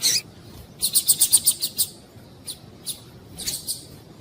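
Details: Female double-collared seedeater call, used to excite males into singing: a quick run of about eight high, thin chirps, then a few scattered single chirps and a short cluster near the end, over quiet background hiss.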